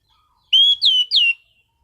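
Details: Orange-headed thrush in steady, loud song, described as having dense song variation and sharp bursts. One phrase of three clear whistled notes: a level sustained whistle followed by two quick down-slurred whistles, then quiet.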